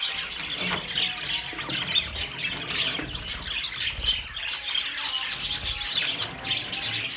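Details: Group of budgies giving harsh squawks mixed with rapid chirping and warbling, a constant high-pitched babble with occasional low knocks beneath.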